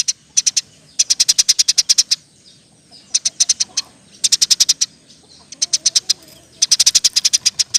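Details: Lively Eurasian tree sparrow in roll-style chirping, a recording meant for tutoring other songbirds: four fast bursts of about ten sharp, high chirps each, separated by brief pauses.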